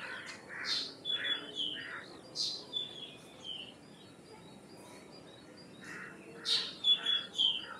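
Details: Indian myna, also known as common myna: a busy run of harsh chirps, gurgled notes and thin whistles repeated unevenly, pausing midway, then resuming with louder whistled phrases over faint background noise.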